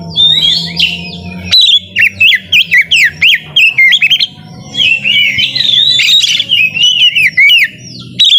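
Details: White-rumped shama singing in full to coax lazy shamas: loud, varied whistled song of swooping, warbled notes mixed with crisp clicking strokes, delivered almost continuously with short pauses.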